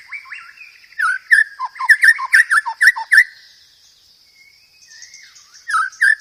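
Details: Master song of the white-rumped shama for training cage birds: a rapid series of clear whistled notes, sharply repeated several times a second, then a pause and a soft rising whistle before more sharp notes.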